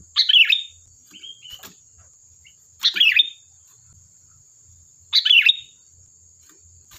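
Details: Sooty-headed bulbul singing lively song meant to lure other birds into replying: three loud, bubbling phrases about every two and a half seconds, with a faint trill between them. A constant thin high whine is heard throughout.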